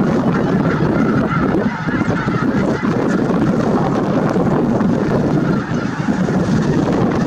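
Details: Winter gathering of snow geese at Merced National Wildlife Refuge, 22 January 2023, giving an intense, sustained chorus of overlapping honks at nearly even loudness throughout, with some wind.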